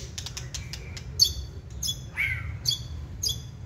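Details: Caged white-rumped shama giving short, buzzy, high notes at irregular intervals, with a lower rasping burst in the middle; faint clicks early on.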